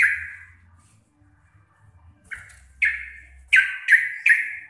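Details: Local Javan sooty-headed bulbul in lively chattering song, noted as deep, clear and loud: a single note, a pause, then a fast run of four strong descending notes closing the phrase, with faint low hum behind.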